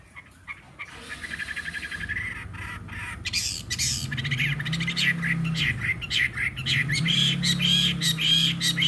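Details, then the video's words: Fighting Chinese hwamei, caged three seasons after being taken wild, singing on a table, slightly hoarse; starts quietly, then builds into harsh, raspy rapid bursts mixed with whistled notes over a steady low hum. "Họa mi chiến 3 mùa lồng hót để bàn"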